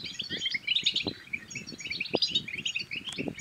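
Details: European goldfinch song, used to stimulate other goldfinches to sing and mate: a busy, tinkling twitter of quick high notes, with low knocking and clicking noises beneath.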